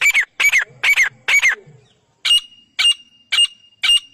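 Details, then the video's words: Teetar, a partridge, in a fight with a rival. Four rapid harsh double notes stop for a short silence, then slower, thinner single calls return at longer intervals. "Teetar Fight 2026 | Zabardast Teetar Ladai"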